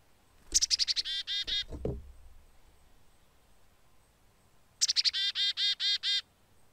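A chickadee gives two chick-a-dee calls: a few sharp high notes, then a run of buzzy, hoarse dee notes. A couple of soft thumps sound between them.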